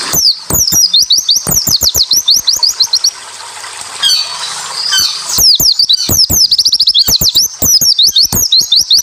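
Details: Japanese white-eye playing song to trigger other white-eyes into answering: very rapid, shrill descending whistles and clicks in dense volleys, interrupted around the middle by a brief hissing, noisy passage.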